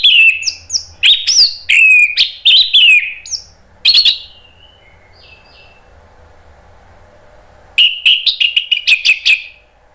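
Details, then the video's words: Lively singing from an Indonesian orange-headed thrush: a burst of quick varied whistles and chirps, then about three seconds of near quiet with faint soft notes, then another rapid run of bright whistled phrases. "ANIS MERAH NGEPLONG GACOR bikin EMOSI jadi NYAUT ikut BUNYI"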